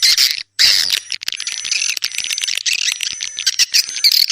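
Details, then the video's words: Swiftlets uttering harsh squawky chirps in a thick chorus after a brief silence near the start, with long thin high tones overhead. "suara walet handal"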